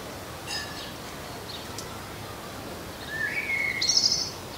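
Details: Common blackbird singing in a garden. A short rising whistled phrase runs into a bright, high, squeaky twitter. Faint distant chirps sound before it, over steady background hiss.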